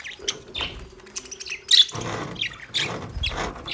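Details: Male budgies give scattered high chirps and squeaks, with a steady low hum early on and a sharp louder chirp near the middle.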